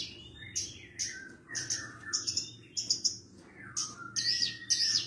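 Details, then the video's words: Javan bush lark song for tutoring other larks: short very high chirps paired with lower downslurred whistles, delivered in uneven bursts roughly twice a second over a noticeable low hum. "MASTERAN BURUNG BRANJANGAN PARVA"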